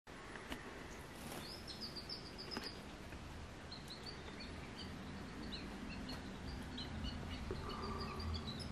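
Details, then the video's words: Two canaries in full singing condition, reacting on seeing each other, trade quick, high chirping notes in short bursts over a steady low hum and background noise. "دو قناری مست"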